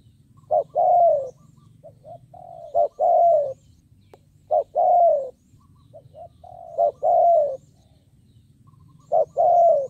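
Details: A spotted dove kept as a decoy calls to lure wild doves, four deep cooing phrases, each a short rising double note then a mellow downward coo, spaced about two to three seconds apart, with soft notes and a low hum between.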